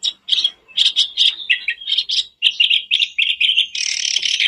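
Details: Sooty-headed bulbul song played to coax a caged bird into song, a run of bright chirped phrases repeated almost without pause, ending in a continuous rich warble.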